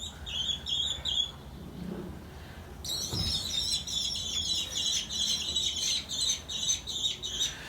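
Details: American kestrel in a rescue-centre enclosure holding one male and two females, scolding during the morning feeding on 18 July 2021 as the handler enters. It gives shrill, high, rapid notes, nearly three a second, building into a steady run beneath a man's faint murmur.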